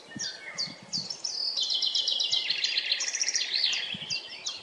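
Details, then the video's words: Forest recording of a common chaffinch. A bright, rapid trill of high notes runs into a fuller, descending rattle with a terminal flourish. Faint low thumps are heard near the start and end. "Śpiew zięby 🔅 Chaffinch singing"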